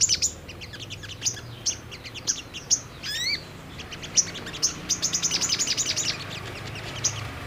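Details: Brown-throated sunbird lure recording meant to draw a quick response: spaced high tsip notes, a short series of falling whistled slurs, then an accelerating trill of sharp chips.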